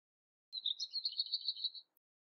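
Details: Lesser whitethroat in Bydgoszcz parkland, April–August 2023, filmed on a Lumix FZ82; a brief high note opens a quick, dry, chattering trill of around ten pulses at steady pitch, about 1.3 seconds long, against near silence.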